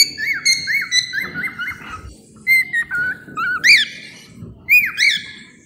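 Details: Cockatiel whistles meant to tame and calm cockatiels: a run of short rising-then-falling whistled notes repeated about every half second, then a pause and a few longer, louder squeaky whistles, indoors with a low background murmur.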